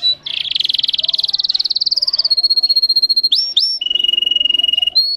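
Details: Russian canary, a breed kept for singing, delivering a high buzzy trill that climbs slowly, then a level whistled tour and short rising sliding notes, with sharp repeated pulses throughout.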